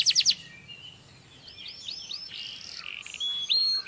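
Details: Canary singing for mating stimulation over a faint background hiss: a short rattling trill, a pause, then soft buzzy and whistled phrases building to louder repeated upswept notes at the end.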